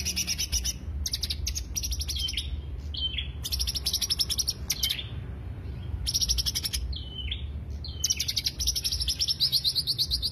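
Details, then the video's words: Greater green leafbird song used to lure birds, alternating fast pulsed high trills with short downward slurred whistles, phrases separated by brief gaps, steady low background noise. "pancingan suara cucak hijau paling diminati"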